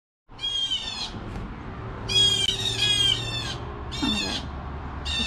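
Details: Blue jays giving harsh alarm calls at 7 AM in the morning, a series of loud, raspy, nasal squawks in bursts about half a second to a second long, with a low steady hum and a person speaking in the background.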